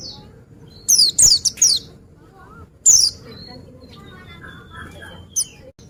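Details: High, loud down-slurred chirps from an Oriental white-eye come in a rapid run of four, then a single note, followed by quieter thin whistles and soft twitters.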